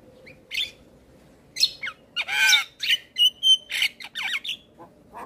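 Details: Male Javan myna singing for young mynas, using loud harsh squawks, a long rasping note, pure whistled tones and a brief chatter, with quiet gaps and a faint steady hum behind.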